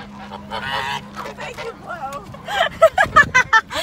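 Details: A swan goose on the attack gives harsh, nasal honks, building to a quick run of five or six loud blasts about three per second; a steady low hum runs underneath.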